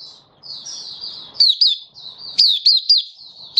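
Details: Malaysian white-eye in Singapore, sunny warm weather, 20 March 2023; thin, high sustained twitter punctuated by two groups of three loud, crisp, slurred chirps.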